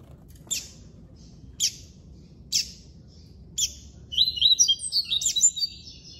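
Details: Captive-bred black double-collared seedeater in the classic song style: four sharp high clicks spaced about a second apart, then a burst of quick, high warbled notes over a low background hum.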